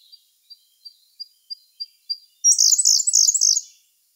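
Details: Siberian blue robin singing in May 2021, recorded on a Sony A1 camera: about seven soft, high, thin notes that speed up, then a loud, rapid, buzzy, rattling trill lasting about a second.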